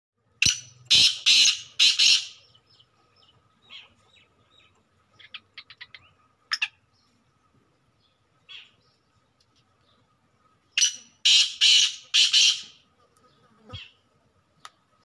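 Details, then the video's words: Male black grouse in full display mood. Loud, harsh, breathy hissing bursts come in quick runs of three or four at the start and again near the end. Quieter clicks and short rasps fill the gap, over a faint steady hum. "Blackcock in full mood || listen his voice"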